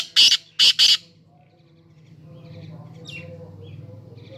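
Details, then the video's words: Black francolin (kala teetar) giving three rapid, harsh, rasping notes, the last two close together. Quiet follows, with a low background rumble and a faint distant chirp. "کالا تیتر کی اواز"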